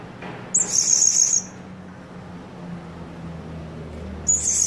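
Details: Serindit (blue-crowned hanging parrot) kept as a decoy to draw other birds toward a trap. It calls them in rather than challenging them. Two very high, thin, buzzy trilled bursts, each under a second, separated by near silence.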